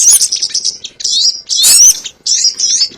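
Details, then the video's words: Sogon used as a lure for trapping: four short bursts of piercing, squeaky chirps and thin upslurred whistles across three seconds. "SUARA PIKAT BURUNG SOGON ONTONG"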